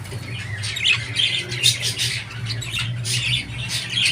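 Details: Budgerigar giving scratchy warbles mixed with short squawks and a few thin whistled notes, fairly continuous, with a low background hum.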